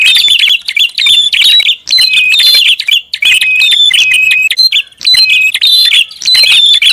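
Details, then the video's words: Noisy prinia lure call: rapid, dense chattering phrases mixed with bright whistled notes, repeated almost without pause. Brief gaps fall roughly every second or two. "SUARA PIKAT BURUNG PRINJAK ATAS RIBUT"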